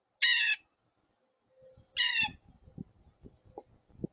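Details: Loud, noisy blue jay giving two harsh, raspy jay screams about two seconds apart, followed by soft knocking and rustling noises nearby.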